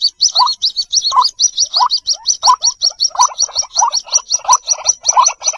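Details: White-breasted waterhen chicks calling for their mother, used as a lure sound: rapid high, thin chirps repeated in a steady stream, interleaved with lower, short rising notes about every half second.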